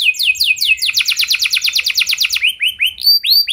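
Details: Canary song for coaching other canaries: a few descending sweeps, a fast steady trill of repeated notes, then slower rising-and-falling whistled notes near the end.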